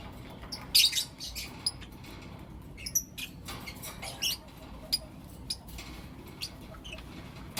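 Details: Blue Opaline and Lutino Opaline lovebirds chirping in the morning: loud, sharp, high chirps at scattered intervals, with softer clicks and rustling between them.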